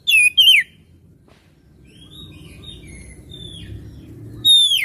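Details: Oriental magpie-robin singing energetically: two loud, sweet whistled phrases falling in pitch open and close the stretch, with faint distant notes and low background hum in the quiet middle.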